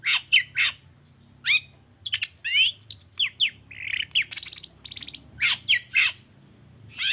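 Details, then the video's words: Long-tailed shrike in full 'toet toet' song, meant to set other shrikes singing: a lively medley of sharp rising whistles, buzzy rasps and short chattering bursts, delivered in rapid clusters with brief pauses. "Suara Cendet Gacor Toet toet Efektif Anti Gagal Bikin Cendet Malas pun Langsung Nyaut Bunyi Seketika"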